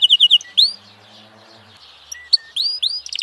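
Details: F1 canary giving short quick trill bursts and bright upward-curving whistles, separated by quiet gaps with faint low background hum.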